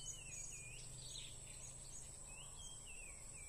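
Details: Blue-crowned hanging parrot (serindit) while being lured for trapping: thin, high squeaky notes, some rising and some falling, in scattered short bursts over a steady shrill insect drone and a low rumble.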